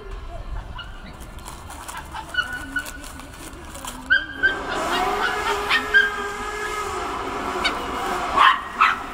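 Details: Black-headed gulls calling on Kotlin Island on 18 June 2018: scattered short squawks give way to a dense, harsh chorus after a few seconds, with sharp louder cries near the end over steady background rumble.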